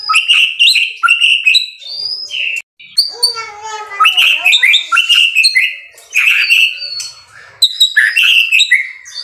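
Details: White-rumped shama in loud, energetic song: bright clear whistles and sharp chirps in quick bursts, a lower descending warbled run in the middle, then more high, varied phrases separated by short pauses.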